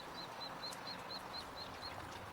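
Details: Newly hatched mallard ducklings settling down with their mother for a nap on a log, 23 May 2025, give a quick run of thin, high, evenly spaced peeps over a soft outdoor hiss.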